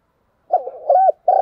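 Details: Spotted dove giving its fighting call: a short, stuttering opening note, a hollow mid-pitched coo, then the start of another sustained coo that is cut off at the end.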